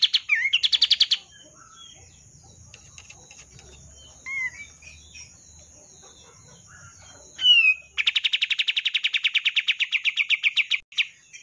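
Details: Kapas tembak songbird singing continuously as a master song for training other birds: a rapid, buzzy trill of high repeated notes, opening with short rattling bursts and scattering sharp chirps and whistled slurs between.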